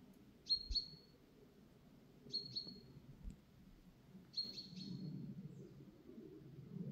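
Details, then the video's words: Grey-headed woodpecker (Picus canus) in a forest on 11 October 2024 gives short bursts of two or three sharp, high notes with a brief ringing tail, about every two seconds, over a low background rumble. "Picus canus SIVA ŽOLNA"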